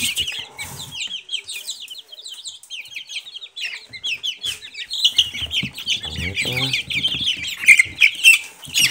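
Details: Group of Silkie chickens, young chicks, peeping continuously: thin, high falling notes tumbling over each other about twice a second each, growing busier and louder toward the end, with faint low knocks.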